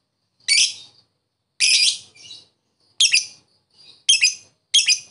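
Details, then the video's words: Lovebird in the ngetik ngekek fighter style, meant to draw answering ngekek from silent birds: loud, shrill, raspy chirps at uneven gaps with softer short notes in between. "Lovebird ngetik ngekek fighter,bagus memancing Lovebird diam jadi nyaut"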